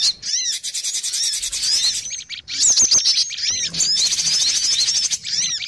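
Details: Cinereous tits on a lure recording, busy and noisy: rapid high twitters and sharp chirps from several overlapping birds, with a brief pause and some clicking sounds mid-way.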